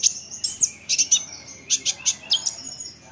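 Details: Olive-backed sunbird isian for stirring other sunbirds to sing back: a curling high whistle, then evenly spaced piercing chips and a short descending trill.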